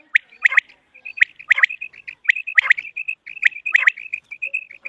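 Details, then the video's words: Common quail calling, in a recording for quail hunting: a steady series of sharp, liquid three-part notes about once a second, linked by thin high whistled pips, clear and close. "Common Quail Sound | For Quail Birds Hunting | Batair Ky Shikar ky Liye Batair Ki Awaz"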